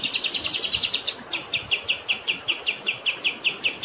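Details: Kapas tembak bird delivering rapid rolling chirps, at first nearly continuous, then separating into crisp evenly repeated notes, with flowing water hissing behind.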